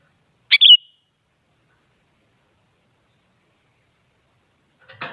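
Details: Active sooty-headed bulbul whose calls are meant to push other bulbuls into singing: a single quick chirped and whistled phrase, then silence and a brief rustling noise at the end.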